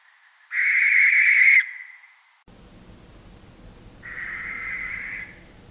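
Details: A Barn Owl in Germany, a strictly nocturnal bird that breeds in barns and church towers, gives two long, harsh, hissing screeches: the first loud and about a second long, the second softer, over a faint background hum.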